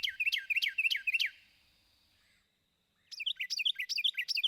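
A Carolina Wren sings two different loud, rolling song types. Each is a fast series of bright, slurred phrases, about five and then eight repeats, separated by a short pause.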